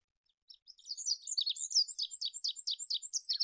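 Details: Olive-backed pipit on a master recording for training cage birds, singing a fast, steady run of sharp high chirped notes that continues rhythmically to the end.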